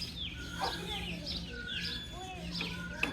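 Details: A few baby chicks peep softly with thin, high descending notes and some longer level whistles, against a faint low hum and one sharp click near the end.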